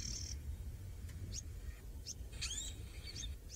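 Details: Winding cisticola (Cisticola marginatus) at sunset on October 1, 2017 in the Mara gives a series of brief, high, sharp chirps and sweeping notes, over a steady low rumble of wind or engine noise.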